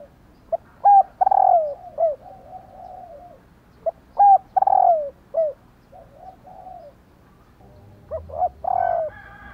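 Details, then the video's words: A female spotted dove calls to prompt males to coo, repeating a phrase of quick pips, a falling stuttered coo and a short downslur about every three seconds, with fainter drawn-out coos trailing after. "Tiếng Cu Mái/ cu mái kêu kích chim cu gáy trống gáy theo"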